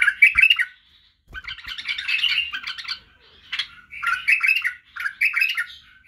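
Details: 11 White-eared bulbul song used to teach young bulbuls to sing: bubbly, chattering, bright mid-to-high warbled phrases in bursts of about a second, separated by short pauses, with no other sounds.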